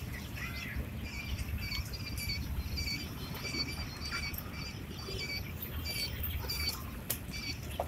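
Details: Young quail, eight days old, give a steady series of short, high, even peeps roughly twice a second, with soft clicks and a low background rumble.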